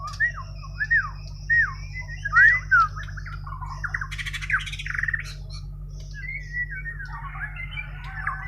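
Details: Natural song of a Borneo white-rumped shama: clear down-slurred whistles repeated about every half second, then a loud buzzy rattling burst, followed by rising and falling whistled phrases over a constant low hum.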